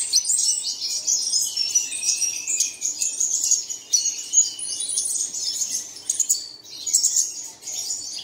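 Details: Early-morning lure for caged birds: many small birds chirping at once, giving a bright, tinkling mass of high, rapid notes with short whistled lines woven through.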